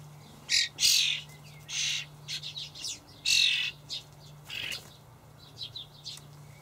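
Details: Fledgling common starlings begging while parent birds feed them dried buffalo worms in a Hamburg allotment garden, 28 May 2012; loud rasping, hissing bursts at irregular intervals with softer chirps between, over a constant low hum.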